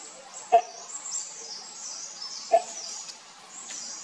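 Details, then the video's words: Two loud, clipped, croaking barks from a great hornbill, two seconds apart, with a constant high insect drone and faint chirps behind them. "The Great Horn bill call"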